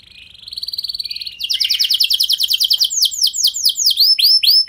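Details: Singing canary used as a lure to provoke replies from other canaries; a quiet warbling start builds into loud fast trills of clipped descending notes, then slower, broader swooping whistles repeated several times a second.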